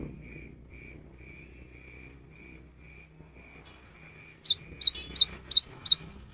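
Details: Cinereous tit in the afternoon, singing in a way said to prompt other tits to join: faint, soft high pips at first, then five loud, high, two-part whistled notes in quick succession.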